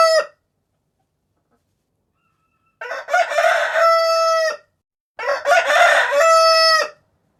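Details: Rooster crowing repeatedly: the end of one crow, then two full crows in quick succession, each ragged at the start and closing on a sustained even tone.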